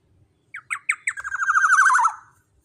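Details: Black-naped oriole used as a lure to make rival birds respond: three brisk downward-slurred notes, then a loud harsh, buzzy, quavering note that swells for about a second before dropping away.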